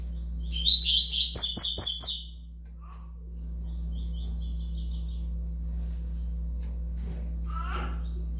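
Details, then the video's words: A double-collared seedeater five months old delivers a loud, quick series of buzzy chirps lasting about one and a half seconds, then a quieter high trilled phrase after a pause; faint clicks and a steady background hum. "FILHOTE DE COLEIRO AVAX 5 MESES DE VIDA"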